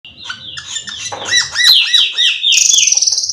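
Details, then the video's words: Black-winged myna singing: a varied run of loud whistled notes, a series of repeated down-swept slurred phrases, then a sustained harsh high buzzy note with rapid pulses at the end. "suara burung cucak keling"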